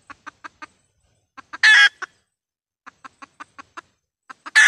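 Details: Red junglefowl decoy hen call for luring wild birds into traps: clucks in short groups of three to seven, separated by pauses, broken by two loud harsh bursts of noise.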